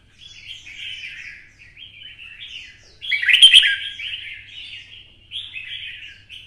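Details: Caged red-whiskered bulbul of the twisted-voice style, stimulated for song-fighting: continuous chattering warble with a loud sharp burst near the middle, then further rolling phrases.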